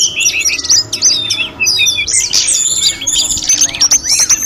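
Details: Snowy-browed flycatcher in full, active song, used as a master recording for training other birds; dense, high twittering with quick whistled slurs and chips, with brief pauses near one and a half and three and a half seconds.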